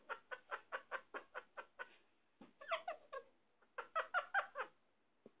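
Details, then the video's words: Talking Indian ringneck parakeet, known locally as sindhi parrot: a steady series of about nine evenly spaced nasal syllables, then jumbled louder chatter with a squeaky accent. "Indian Ringneck Talking parrots"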